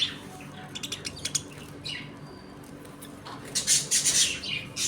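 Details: Budgerigars in a home colony, eating, playing and fighting: quick clicking ticks, then a loud burst of harsh, scratchy squawks and chatter.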